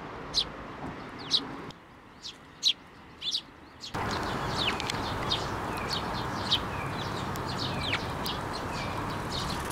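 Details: Several sparrows at a Tenmangu shrine, 19 May 2024, come onto a hand for food; sharp isolated high chirps at first, then a busier scatter of chirps over a louder, continuous background murmur.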